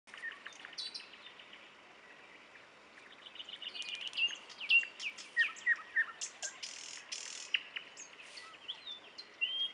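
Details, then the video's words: Common nightingale singing at Dubki, with varied whistled phrases, sharp upslurred notes and rapid clicking trills in uneven bursts over steady background hiss; the song grows louder and more rhythmic in the second half. "Соловьи в Дубках"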